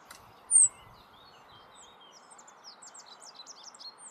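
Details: Rock bunting singing in the Moselle valley, Germany: after a loud, sharp high note, a faint run of thin, quick high twittering notes fills the second half over a steady low rushing background.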